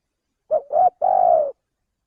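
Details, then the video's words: Single phrase from a male spotted dove, played to lure birds: three low coos rising slightly into the second, ending in a long level note that fades downward, without background noise. "suara pencingan burung tekukur"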